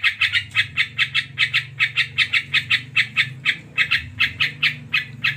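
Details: Sooty-headed bulbul (krucuk) in lively full song, a fast run of bright, slightly burry chirps repeated about three to four times per second without break, with a low background hum beneath.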